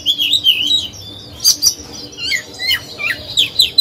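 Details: Decoy Oriental magpie-robin (Copsychus saularis), used to stimulate other birds to sing and to train young birds, sings a rich, varied run of sweet whistles, slurred trills and sharp chirps, phrases tumbling quickly; faint low hum underneath.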